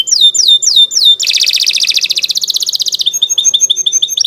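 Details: Canary song meant to prompt other canaries to sing: repeated falling whistled slurs, then a dense fast rattling trill, then quick repeated chirping notes.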